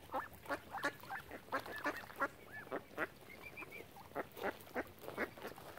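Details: Ducks milling around a swan family at Oxford Island, Lough Neagh, Ireland, calling in a fast, fairly steady string of short nasal quacks, roughly three per second, with a few high whistled notes mid-way.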